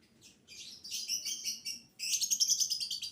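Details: A lovebird sings in the 'biola' (violin) style, a song used as a lure to get other lovebirds singing. It gives two bursts of rapid, high, buzzy twittering chatter separated by a brief gap.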